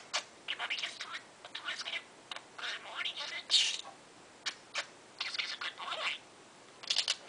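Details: A baby parakeet talking nonstop in the morning chatters in rapid bursts of scratchy, high, speech-like mimicry of words such as "ok folks", broken by short pauses, in a quiet small room.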